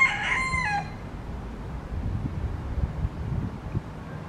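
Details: Yellow-legged gull (Larus michahellis), one of two waiting for food scraps at a picnic area in Parque Marechal Carmona, Cascais: one harsh, nasal call under a second long, dropping slightly in pitch, then a steady low background rumble.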